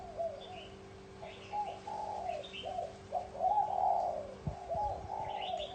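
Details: Spotted dove of the bronze-bell voice style, cooing to stir up males and females: low, mellow coo phrases repeated in quick succession, slightly rising and falling, with faint higher chirps from other birds and a steady background hum.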